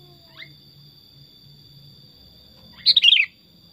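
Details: Tame pet Sooty-headed bulbul: a faint brief note at the start, then after a quiet pause one lively warbled phrase of rapid falling notes, with a low hum and a high whine in the background.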